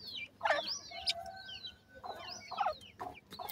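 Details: Grey francolin chicks while being fed: high, thin downward-sweeping whistles followed by brief sharp chirps, in two clear bursts about one and a half seconds apart over a quiet background.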